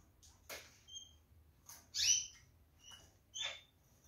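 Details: A pair of Gouldian finches in a cage, busy pecking jute put into the nest in the morning, give short thin whistled notes and brief nasal chirps, four or five spaced over a few seconds, amid light rustling.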